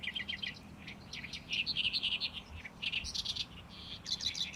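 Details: Loud, powerful song of a Great reed warbler in May among the reeds on Lake Biwa's shore; grating, stuttering notes are repeated several times over, then the next phrase follows in a rapid, jerky rhythm.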